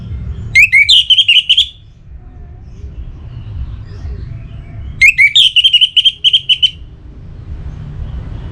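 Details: A caged orange-headed thrush in North Bali, aroused and calling out to a rival. It gives two similar phrases about four seconds apart, each starting with an upswept whistle and running into a fast string of repeated bright notes.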